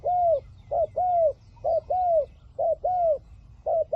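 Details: Decoy spotted dove calling to draw in wild doves: loud, clear paired coos, a brief lead note then a drawn-out arched coo, repeated in quick succession.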